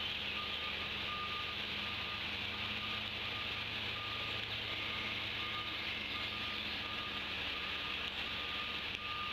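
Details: Steady hiss like rain, with a thin electronic beep repeating about once a second and no animal voice.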